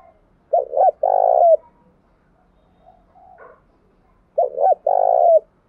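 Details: Tame decoy spotted dove calling and urging: low, hollow cooing in two phrases, each a pair of short notes followed by one long, steady coo, with a quieter murmur between them.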